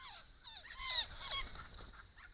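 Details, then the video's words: Over 20 noisy friarbirds at a bare bush pond among flowering Grey Box eucalypts in autumn 2015 give an overlapping chorus of harsh, nasal, cackling calls, many sliding downward, with several calling at once. "Noisy Friarbirds in big numbers"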